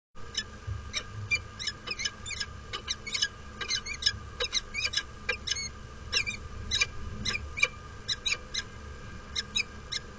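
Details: Peregrine falcons on a nest platform on Derby Cathedral, England, during a courtship display in snow on 26 March 2013: rapid series of sharp, high chipping calls repeated several times a second, with a low background hum.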